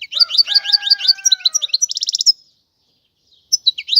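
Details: European goldfinch singing a quick series of high chirped downslurs about six per second, ending in a dense buzzy trill, then a pause before the twittering resumes; a faint low whistle runs underneath.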